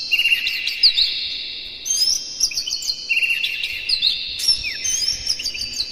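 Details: Lure song of a white-rumped shama meant to stir up other birds: continuous high whistled and chattering phrases layered over a steady ringing tone, with sharp bursts recurring every couple of seconds.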